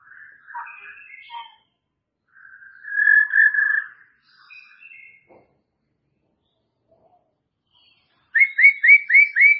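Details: White-rumped shama, murai batu, with scattered soft whistles, a sustained buzzy whistle, then a fast series of five loud upslurred notes repeated in quick succession.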